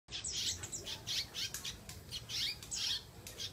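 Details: Kept canary singing in lively gacor style: rapid bursts of bright, trilled and buzzy phrases, repeated every few tenths of a second with brief gaps, over a faint low hum.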